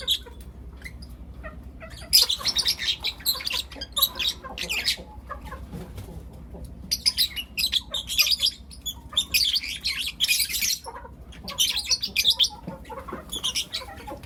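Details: Lutino lovebirds, four young birds, heard in the morning: dense clusters of scratchy, high-pitched chirps that come in bursts lasting a second or two, separated by brief quieter gaps.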